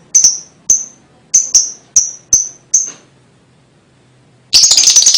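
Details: Lovebird chirps used as a lure to get young birds singing: seven sharp, high single chips spaced about half a second apart, then a sudden dense burst of shrill chattering.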